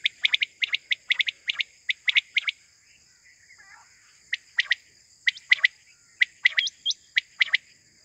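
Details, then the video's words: Morning call of a quail, used for hunting: bursts of crisp two- and three-note chirps, then a short pause and more spaced chirps, with a few thin hooked whistles and a steady high hum. "batair sound for hunting || quail moring sound 2023"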